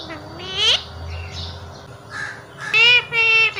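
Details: Pet parrot talking in a home, mimicking human words such as "Mummy what are you doing", "baby" and "I love you": a rising swooping syllable, then short nasal voiced sounds and two loud, even, word-like utterances near the end.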